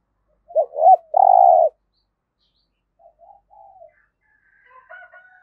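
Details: Spotted dove used as a decoy bird for trapping, giving a loud cooing phrase: two short hooked notes followed by a long, steady, throaty coo, then softer distant coos and faint chirps.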